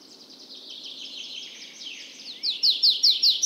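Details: Tree pipit singing: a thin high trill and soft slurred notes, then loud sharp downslurred notes repeated about every fifth of a second at the close.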